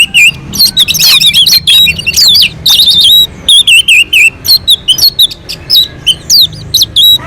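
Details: Melodious non-stop song of an orange-headed thrush from a mountain slope, used to provoke other birds into singing. Bright looping whistles and short chirped phrases follow each other in quick succession, with brief gaps.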